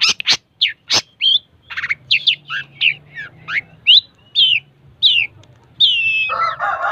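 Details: Energetic long-tailed shrike song of quick sharp clicks and varied slurred whistles, some rising and some falling, ending in a lower, harsher rasping phrase.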